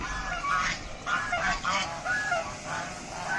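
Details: Deshi raj hash ducks calling loudly: about five harsh, nasal honks in quick bursts, each slightly wavering in pitch, over a low steady hiss.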